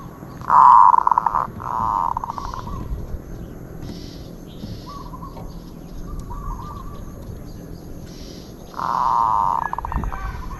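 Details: Zebra dove song: a loud rolling coo with a pulsed ending early on, softer distant coos in between, and another strong purring phrase near the end over a steady background hiss.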